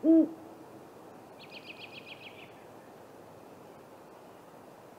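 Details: A great horned owl, one of a pair visiting a great gray owl's snag nest tree on an April night, gives one loud low hoot at the start. A faint high rapid trill follows, with quiet background hiss.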